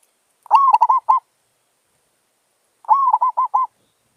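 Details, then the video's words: Zebra dove, a wild local bird recorded during decoy trapping: two bursts of soft, rolling staccato coos, each a rising note followed by quick repeated beats, separated by about two seconds of silence. "Merbok Kampung"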